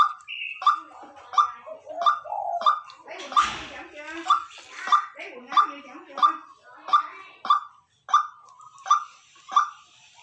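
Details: Decoy white-breasted waterhen giving a long run of evenly spaced, short, resonant notes, almost two per second, briefly interrupted midway by a harsh burst of noise, then resuming the same monotonous rhythm.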